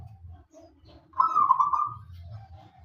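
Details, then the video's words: Single short burst of zebra dove song from a local wild-type bird used as a singing lure: one loud, quavering, bubbling coo phrase lasting under a second against a faint low rumble. "perkutut lokal alam gacor untuk pancingan pada bunyi"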